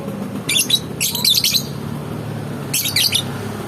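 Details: Lovebird uttering a few brief, shrill, scratchy chirp bursts over a low steady hum, with a pause before a final burst.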